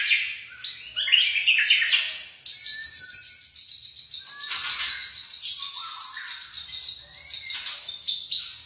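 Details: Young white-rumped shama song opening with quick chirps, then a long sustained high thin whistle-like tone running under scattered short notes and squeaks.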